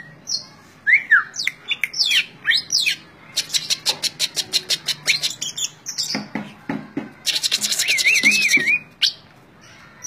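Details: Greater green leafbird kept as a caged songbird in Indonesia, giving varied whistled and harsh notes, a burst of rapid clicking ticks, then a wavering warbled trill near the end.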